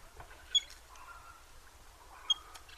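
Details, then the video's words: A little grebe (Tachybaptus ruficollis) gives two short, sharp, high-pitched notes about two seconds apart over a soft, low background murmur. "Little grebe 1h Bird sound"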